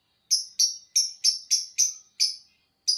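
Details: A lovebird sings in the 'ngekek' style, giving quick, sharp, very high chirps at an uneven pace of about three to four a second, each note bright and clipped.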